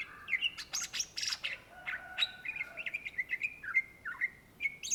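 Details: Greater green leafbird, locally called cucak ijo, in loud energetic song: harsh chattering bursts open, giving way to a long string of bright, repeated whistled notes, some sliding down, delivered almost without pause.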